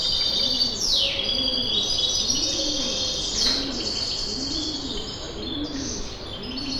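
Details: Morning birds in Kipseli, Athens, Greece, recorded with a Zoom H5: a dove coos in regular soft arched notes under a layer of high chirps and sharp downward-swooping whistles, with steady ambient rumble.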